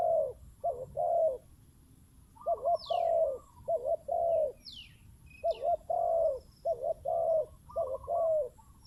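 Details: Decoy spotted dove delivers repeated two-part coos, a short wobbling note and a longer falling croo, in bursts with a pause near the start. Thin downslurred whistles from other birds cut across.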